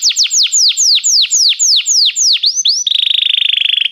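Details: Singing Belgian canary, played to warm up a canary: about ten evenly spaced falling slurred whistles, then a quick upward note and a high, fast rolling trill held for a second.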